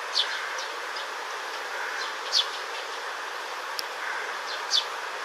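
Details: Young Eurasian tree sparrow in green space, 3 July 2022, hot weather, preening and dozing, gives short, high chirps about every two seconds over a steady background hiss.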